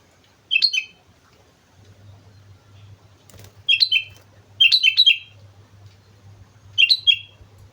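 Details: Sooty-headed bulbul from Mount Slamet giving four short phrases of quick, liquid whistled notes, each phrase a tight cluster of falling chirps, spaced one to two seconds apart over a faint low hum.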